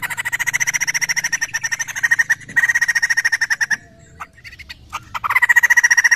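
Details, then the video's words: Rapid pulsed calls from a laughingthrush, a lure sound meant to get other birds answering: two long runs of harsh notes, a gap with faint clicks, then a loud renewed burst. "Sekali putar burung Poksay langsung nyaut"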